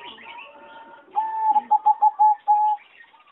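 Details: Aviary recording from 26 April 2014 of a singing zebra dove selected for competition. Soft quiet notes lead into a loud phrase of one long whistled coo, four rapid clipped beats and two sustained level tones.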